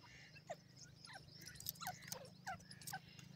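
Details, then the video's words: Grey francolin (teetar) calling: short, sharp notes sliding downward, about one every half second, a few doubled, with a continuous low hum behind. "perdasi teetar ki awaz,partridge natural calling"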